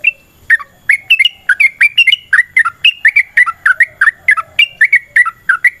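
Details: Long, lively yellow-vented bulbul song meant to set off other birds: quick, regular bubbly whistled notes that keep a bouncing rhythm throughout.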